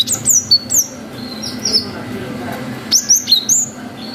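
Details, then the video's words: Cinereous tit giving 'wucit' lure song: quick, bright, high whistles in two groups, slurred notes dipping and rising, a few softer fragments in the gap, low hum underneath. "GELATIK BATU GACOR WUCIT PANJANG"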